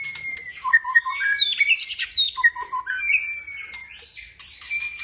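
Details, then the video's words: White-rumped shama singing in captivity, mixing steady high whistles with lower fluty double notes and scratchy twittering, then a long level whistle that steps upward near the end. "jangan coba kasih bunyian burung ini atau engak burung kalian ngotot"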